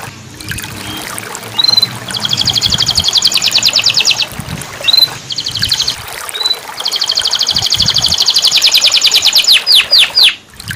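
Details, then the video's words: Canary song, played as therapy to restart a canary that has stopped singing: two long, fast buzzy trills of rapidly repeated high notes, each introduced by a short rising whistle, over steady background hiss. "terapi kenari macet bunyi"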